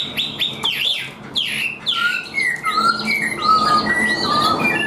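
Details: A tame, hand-carried Chinese hwamei sings a loud, varied run of rich whistles, upward and downward slurred notes and clear sustained phrases, delivered rapidly without pause.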